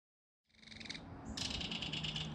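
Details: Belted kingfisher at its nest in a mud bank while an adult feeds fish to its baby; a softer dry pulsed rattle begins after a short silence, then a louder, denser rattling run follows.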